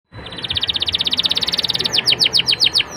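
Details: Canary song used as a lure to get young canaries singing quickly and fluently with pleasing melodic turns: a rapid, even trill of short high notes that slows after two seconds into a row of sharp downward-slurred notes.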